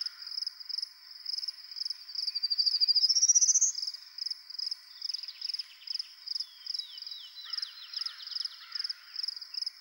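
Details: Territorial male Prairie warbler in Ontario, where the species is rare, singing on a Sunday morning after a storm: one high buzzy ascending run of notes, with constant rapid pulsing throughout and another bird's descending trills and chips later.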